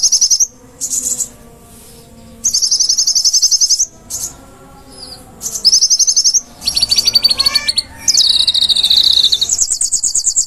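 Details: Konin in energetic full song, a master track meant for training caged birds: shrill high rattling notes come in quick runs, with brief gaps, then a long rising and falling piercing trill.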